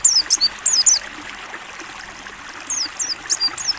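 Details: Mountain white-eye, ngalas-style training song: a brief burst of high falling whistles, a longer stretch where running water dominates, then a softer closing group of descending chirps.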